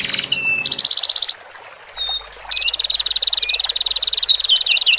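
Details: Song of male and female Horsfield's bush larks, played to calm birds just separated from the flock and caged. A short buzzy trill and gliding whistles, a pause, then a long rapid trill with looping upslurred notes over it.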